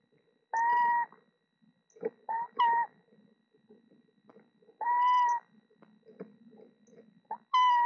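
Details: Eastern screech owl, mother at a nest box in Florida with four young owlets hatched late March–early April, giving steady, slightly hoarse tonal notes about half a second long, three main calls with shorter ones between, over faint rustling and scratching.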